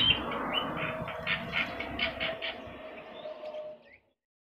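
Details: Javan myna with yellow eyes in energetic song, meant as a training master for other birds: a rapid run of rasping, grating notes that weakens gradually before ending, over a faint background rumble.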